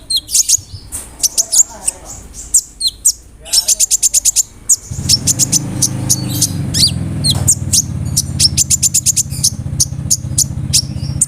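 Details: Provocation song of a kolibri ninja sunbird, rolling with fill-in imitations of cricket and other birds. Fast trills of piercing high notes repeat in bursts, over a steady low hum through the second half.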